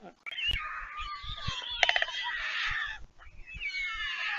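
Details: White stork fledglings back at the nest on Leemansmolen, Vriezenveen, Netherlands, 11 July 2022, begging as a parent arrives to feed them. Drawn-out, wailing harmonic cries continue throughout, broken by a short rapid rattling burst midway.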